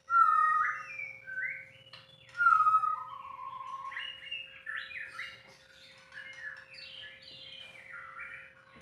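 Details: Unedited song of a caged white-rumped shama: bright clear whistles and downslurred notes, followed by a busy stretch of quick varied chirps and trills; soft low rumble and a constant faint hum.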